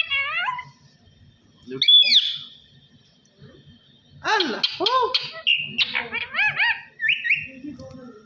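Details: Parrot speech mimicry, reportedly "Allah Hoo". Falling, squeaky syllables are followed by a pause, then a run of arched, word-like sounds, a held whistle, and chirpy rising notes, over a faint hum.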